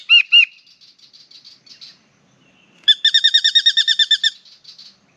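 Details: A spangled drongo of unknown sex, down low to sing and bathe while its partner chats from a tree above, gives harsh metallic notes, then about thirteen rapid clanking, twangy notes in just over a second, with softer chatter between.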